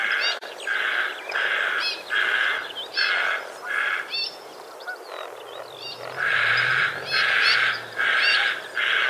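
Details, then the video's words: White-faced heron, Australia, 2 January 2019. Grating, hoarse calls come in a run of bursts, pause briefly, then resume more strongly. A soft low rumble is heard in the second half. "澳洲的白臉鷺White faced heron"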